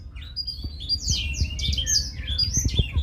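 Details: A brief burst of Blackthroat song: crowded high twitters and quick falling and rising slurs delivered nonstop, with a soft low rumble and faint taps beneath.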